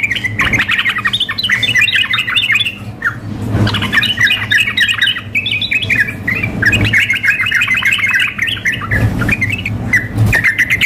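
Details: Female sooty-headed bulbul calling to a male, mixed with a fired-up male in full voice for contest practice: rapid, continuous stream of sharp chirps and squawky warbles, brief pauses, punctuated by soft low knocks over a constant hum.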